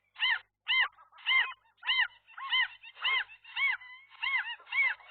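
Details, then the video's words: Morning nest dispute: a gull couple confronting a lone intruder near their nest on a roof. Loud, arched, nasal cries come in a regular series, about two each second, with a brief drawn-out note between them. "seagulls, gull wrestling"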